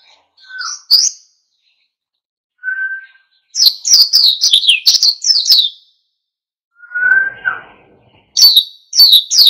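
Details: Oriental white-eye in lively wild-style song intended to provoke other birds to join in. Two runs of fast, high, jumbled twittering are separated by short steady whistled tones and brief quiet gaps.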